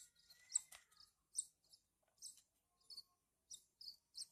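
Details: Horsfield's bush lark chicks chirp while being hand-fed: brief, sharp, high notes spaced about half a second apart, with a short rising whistle near the start.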